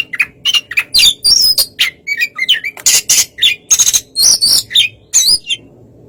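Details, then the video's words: White-rumped shama singing in a relaxed style to bait another shama; quick varied chirps and bright whistles over a faint steady low hum. "suara kacer santai memancing kacer yg kurang emosi"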